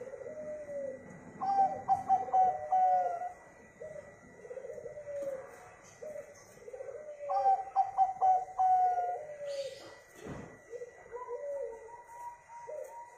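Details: Two phrases from a local zebra dove kept to set other birds singing, each quick staccato notes ending in a drawn coo, amid a steady chorus of lower coos from other doves and a brief knock.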